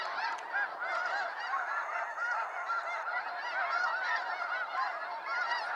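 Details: Huge flock of snow geese departing at sunset from Sacramento National Wildlife Refuge, their clamour of overlapping nasal, barking honks filling every moment with no gaps.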